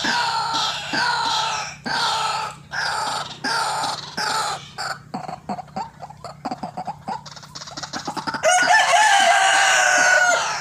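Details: White-breasted waterhen calling eagerly for use as a trapping lure: loud, harsh, nasal croaks repeated about once a second, then a rapid stutter of short notes and a continuous rasping burst.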